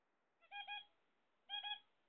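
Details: Zebra finches kept as pets while waiting for eggs give two separate nasal, honking double notes about a second apart. Each note is rich in harmonics and carries over silence.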